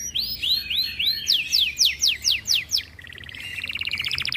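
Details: Breeding canary growing aggressive when other birds sing: rhythmic arching whistles turning into steep downward sweeps, about four per second, ending in a fast bright rattling trill.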